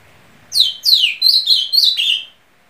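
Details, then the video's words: Ultramarine grosbeak (azulão) from Simão Dias, Sergipe, Brazil, sings a quick, rich phrase of five sliding whistled notes, each dropping in pitch, over about two seconds, with no other sounds. "Que Canto é Desse Azulão?"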